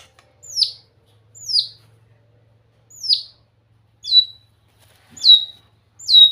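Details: White-rumped shama giving clear, very high, down-slurred whistled notes, one roughly every second, in a quiet setting with a faint low hum.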